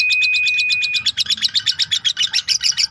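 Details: Lovebird giving long 'ngekek' chatter, a tutor recording for songbirds. A steady, level whistled tone opens, then gives way to fast, shrill, rasping chatter pulses, roughly five or six per second.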